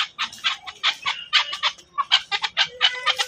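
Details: Fast chuck-chuck series from a Chukar partridge, Pakistan, harsh broad notes packed several per second with small gaps between clusters over about three seconds.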